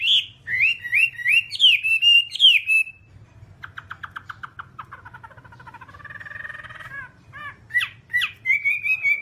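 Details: Whambie, heard in a nonstop tutor track for kept birds: a fast series of rising whistled notes, then a softer rattling, buzzy stretch, ending with sharp slurred whistles.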